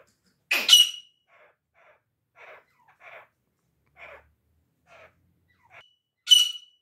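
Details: Grey francolin kept as a pet, giving a loud, harsh, grating note, then a series of soft, scratchy clicks spaced about half a second apart, and a second loud harsh note at the end. The background is quiet.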